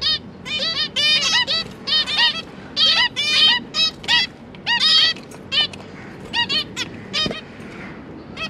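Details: Captive zebra finches, a parent pair with three recently fledged juveniles, recorded 31 October 2022 while the parents were busy feeding their young: a dense run of short, nasal, honking calls, repeated rapidly in bursts of two to four, with several birds overlapping.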